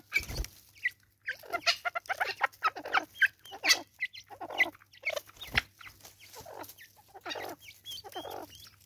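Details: Natal spurfowl in South Africa giving its raucous call: a dense run of harsh, clucking notes with short downward strokes, rising and falling in bursts over about nine seconds, with a few sharp clicks.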